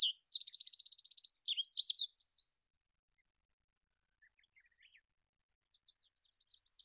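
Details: Olive-backed pipit song opening with a rapid, even, high-pitched trill, then a few sharp slurred notes. Silence follows, with faint scattered chirps near the end.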